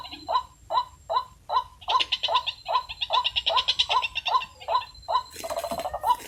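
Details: White-breasted waterhen call played through a loudspeaker as a lure for trapping with a noose and decoy: steady series of hoarse mid-pitched croaks about two per second, with busy higher chattering notes overlapping from the middle onward.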